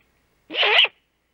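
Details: On 3 March 2018 at 5:41 am, a great horned owl female watching from the nest as the male hunts, making the food call: one short, breathy, screechy rasp, abrupt start and end.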